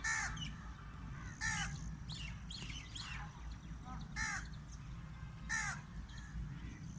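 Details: Crow calling from a date palm, giving rough, grating caws, some in quick pairs, spaced about a second or more apart, with constant low-pitched background noise.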